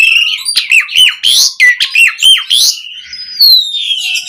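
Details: Asian pied starling singing a mix of fill-in phrases for training captive birds: a string of fast, looping whistled notes rising and falling, then a long, thin, descending whistle trailing off at the end.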